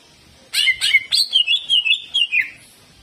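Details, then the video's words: Greater green leafbird in kejet-kejet jamtrok song: sharp opening chips followed by a steady series of about nine rapid, descending buzzy notes in under two seconds. "CUCAK IJO GACOR HYPER TEMBAKAN KASAR"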